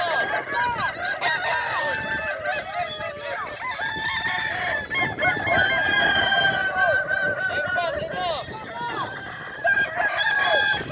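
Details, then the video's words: Many Kukuak Balenggek roosters crow together during a competition final in the boko class, Solok regency. Long, wavering multi-note crows overlap without pause, with people talking in the background. "Final lomba ayam kukuak balenggek kls boko"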